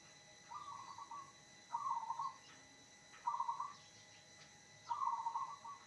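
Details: Zebra dove singing to trigger replies from other zebra doves: four rolling trilled phrases of quick beaded coos, spaced roughly every one and a half seconds, clean against a quiet background.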